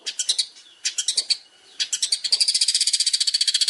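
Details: Long-tailed shrike master recording for training contest birds: jumbled chattering and clicking notes that build into a fast, even run of high, sharp ticking notes at the end.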